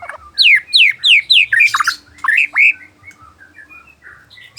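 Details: White-rumped shama singing in the afternoon: a run of loud, clear whistled notes, each sliding steeply downward, repeated about four times per second, then a few lower twisting phrases fading into soft scattered chirps.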